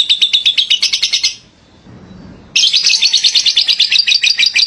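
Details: Lovebird ngekek song, vigorous and used as tutoring material: a shrill rattling trill, a break of about a second with faint low rustling, then the fast chatter resumes strongly.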